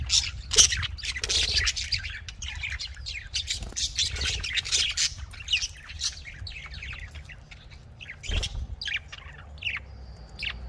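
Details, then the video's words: Budgerigars keep up a fast, uneven stream of chirps and scratchy squawks, loudest early on, with a sharp click near eight seconds and a low background hum. "Australian parrot voice|Australian parrot ki awaz"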